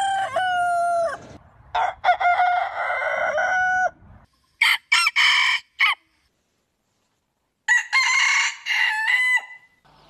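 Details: Rooster crows from a breed compilation: a clear crow with a drawn-out, evenly held note, then a rougher, broken crow. Short bursts of crowing follow a pause and silence, and a final harsh crow closes.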